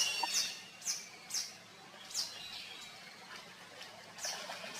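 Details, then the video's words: Lesser whistling duck giving thin, high whistled notes, single or doubled, at uneven intervals of about half a second to two seconds, over a soft outdoor hiss. "lesser whistling duck"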